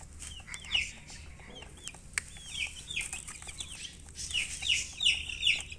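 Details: Chicks chirping, with scattered rising-and-falling high peeps, a few at a time, becoming louder in a quick run near the end over a soft, noisy background.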